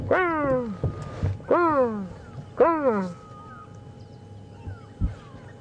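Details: Grey go-away-birds (grey louries), many calling near Buffalo Dam in the Djuma and Arathusa game reserves on a November morning safari drive: three loud, nasal, drawn-out descending calls about a second apart, then fainter distant calls and low thumps.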